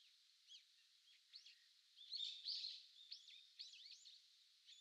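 Eurasian Teal giving short, high, piping whistles, several birds overlapping in quick bursts of about four notes a second, over a soft background hiss.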